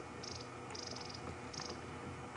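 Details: Long-billed crombec at Djuma Game Reserve on an afternoon drive on 21 June 2015, alarm calling, possibly at a snake or small bird of prey: three short, high, dry trilled bursts over a steady low engine rumble.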